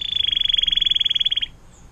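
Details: Canary singing a tutor song in 'air mancuran' style; a loud, evenly pulsed rapid trill of about one and a half seconds, then quiet.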